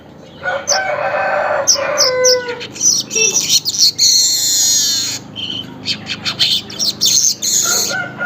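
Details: Weaver recorded in the morning around 5:40 local time, used as a lure: harsh buzzy chattering and scratchy squeaks mixed with sharp high notes, in dense irregular bursts roughly three per second.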